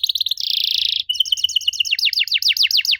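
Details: Lure song of a canary for young canaries to answer: quick rising notes, a loud buzzy roll, then a rattling series turning into steady, rapidly repeated downswept whistles.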